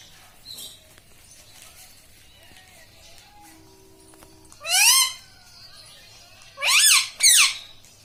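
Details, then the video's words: Talking pet parrot that is said to mimic words. After a quiet stretch with faint tones comes one sharp, rising, overtone-rich squawk, then two quick squawks close together near the end. "Bolne wala tota - tota talk - mummy bolne wala mitthu - talking parrot"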